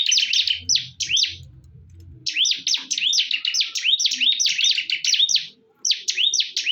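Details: Bar-winged prinias (ciblek) fighting fiercely, with bursts of shrill, quick chirping and upslurred notes broken by short pauses over a soft low rumble.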